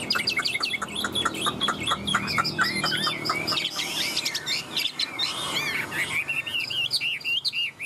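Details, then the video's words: Chinese hwamei kept in a hand-carried cage, singing at length: busy, twisting whistled phrases tumbling one after another, with a harsher rushing burst midway and other birds faintly behind. "Tam hoàng đẳng cấp - sách lồng hót 11 phút không nghỉ"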